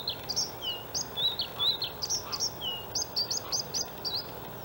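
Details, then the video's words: Male white-spotted Bluethroat singing openly by a road in reeds at Halmstad harbour landfill, Sweden, May 2017: lively, varied song of sliding whistles, sharp chirps and ringing high notes delivered without pause. "Blåhake/Luscinia svecica cyanecula/Bluethroat"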